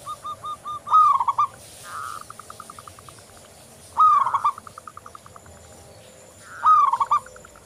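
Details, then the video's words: Local zebra dove song meant to prompt other doves to sing: three loud rolling coo phrases roughly every three seconds, with softer rapid series of short coos from a second, more distant dove in between. "Perkutut lokal Gacor Anti Galau"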